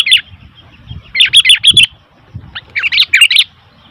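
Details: Two short bursts of lively, liquid chirps from a noisy Sooty-headed bulbul, each a quick cluster of four or five notes, over soft low-pitched background rumble.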